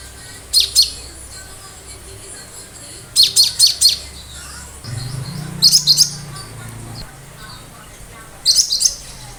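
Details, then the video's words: Cinereous tit (gelatik batu) in lively song aimed at making other birds respond: short clusters of three or four high, rapid chirps repeated every two to three seconds, with a low hum partway through. "Tembakan tajam burung lain yang mendengar pasti langsung respon"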